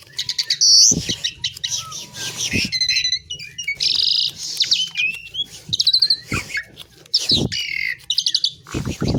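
An Asian pied myna sings a varied, jumbled run of whistles, chirps and harsh chatters, with sharp clicks and grating notes between them.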